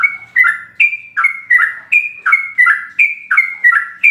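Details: Ropel-style sooty-headed bulbul song with full fill-ins, intended to teach captive birds. It has a steady run of paired whistled notes, a higher note sliding into a lower one, repeated roughly every third of a second.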